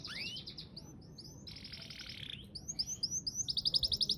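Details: Canary singing a long-duration song: rising whistled slurs, a steady buzzy held note, then rapid clear repeated trills speeding up near the end, with a faint low background hum.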